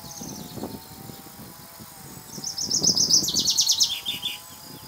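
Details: Two male common chaffinches singing, one answering the other, with bright, cascading phrases of quick notes tumbling down in pitch and ending in a short flourish, over a low background rumble.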